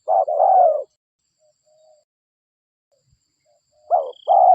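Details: Local spotted dove (derkuku) recording used as a bird-catching lure: a low, hoarse cooing phrase with a drawn-out falling note at the start, then silence, then the coo resumes near the end.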